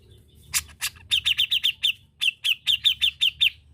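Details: Grey-cheeked bulbul (cucak jenggot) in gacor master song: a few harsh broadband notes lead into two quick series of bright, high, slightly descending staccato notes, each about six notes long, with a short pause between.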